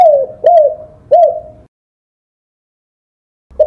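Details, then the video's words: Spotted dove recorded as training material for songbirds: three mellow, arched coos in quick succession, each rising then falling, followed by silence before a fourth coo begins at the very end. "Masteran suara burung TEKUKUR / DEKUKUR / DERKUKU"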